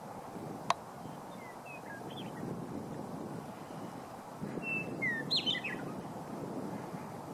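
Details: Western meadowlarks heralding spring near the South Platte River on March 12, 2015; a short phrase of clear whistled notes, some sliding downward, rises over steady low rural background noise, with a sharp click near the start.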